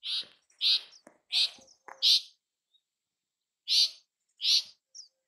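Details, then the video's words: Bay-backed shrike, a South Asian resident shrike, giving loud harsh chattering notes in a rapid series of four, then a pause and two more, each burst broad and scratchy. "Bay Backed Shrike Sound ! Bay Backed Shrike Call ! Bay Backed Shrike Song ! Bay Backed Shrike Vocals"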